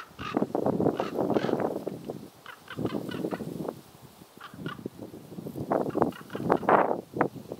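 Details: Common raven at Ljubljana Marshes (Ljubljansko barje), Slovenia, on 17 November 2023, giving harsh, throaty, gurgling croaks in quick rattling bursts, with a brief pause midway before the calling resumes.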